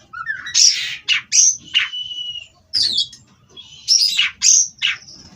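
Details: Oriental magpie-robin from a breeding farm singing loud, sharp notes, a level sustained whistle, then squeaky rising notes in two main bursts with a quiet gap between them.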